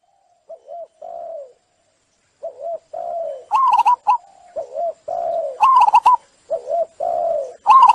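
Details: Zebra dove song used to restart singing in doves stressed by trapping: soft, low wavering coos with short silences, joined later by louder clipped, rattling phrases.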